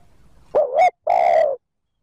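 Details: Spotted dove giving a 'thúc gù' coo used to lure wild birds: a short rising two-part note followed by a longer, steady, mellow coo, with a low murmur before it and silence after.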